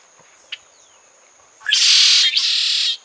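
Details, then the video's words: Red-shouldered blackbird (Agelaius assimilis), a Cuban species, gives a harsh, buzzy two-part song: a faint soft note, then a loud rasping burst followed by a second slightly lower burst. "O canto Da Graúna de Ombros vermelhos"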